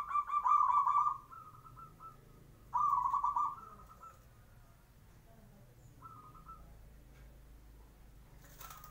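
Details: Zebra dove singing in the morning to get other birds to respond: two loud rolling trilled phrases about two seconds apart, each followed by a softer trailing note, with fainter answering trills later.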